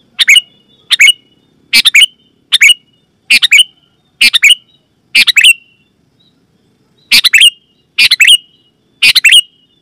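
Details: Sooty-headed bulbul giving strong, clear calls meant to make other bulbuls answer; eleven crisp two-note chirps in quick succession, a gap of about two seconds in the middle, then the series resumes.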